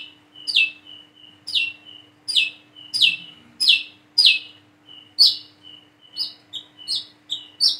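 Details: A single plain-throated sunbird, said to be learning its song and practising its wiceh call: high sharp downslurred notes, each with a short thin whistle before it, repeated about once a second without pause.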